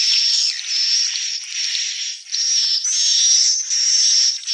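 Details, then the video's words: Swiftlet calls: a dense, continuous stream of high, thin chirps and twitters that overlap into an unbroken buzzing band, with brief dips in volume every second or so. "SUARA BURUNG WALET"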